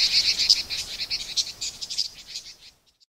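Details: Red-billed leiothrix in autumn at Garyuzan, Japan, giving calls and song: a rapid, uneven run of high, thin chattering notes, about three a second, fading out after nearly three seconds.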